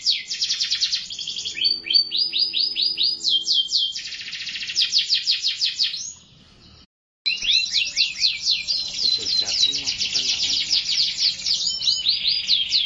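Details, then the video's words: Canary pouring out rapid trills and downward-sweeping repeated notes, with a brief gap of near silence before another long run of dense, rolling song. "٣٠ دقيقة تغريد مستمر ورائع مهما كان نوع الكناري خاصتك سيبدء بالتغريد"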